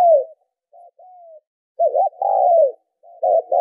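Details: Cooing of a spotted dove, played as a lure for training decoy birds in Vietnam: a loud coo, faint short notes and a thin descending glide, then a hollow double note followed by a long, full coo that falls away.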